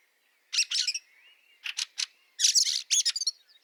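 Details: Harsh rasping chack notes of a Fieldfare in snowy Liepāja, Latvia, March 2023, given in three bursts with a short pause, a soft drawn-out whistle running faintly underneath.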